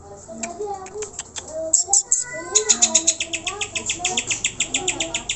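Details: Greater green leafbird song used to rouse pet birds into singing: scattered high chips build into a fast string of sharp, high notes about four per second, over soft low whistled tones.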